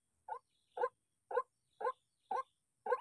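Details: Provoked by decoy playback, a White-breasted waterhen repeats short, gruff croaks about every half second. The six notes are moderately quiet and regular against a silent background.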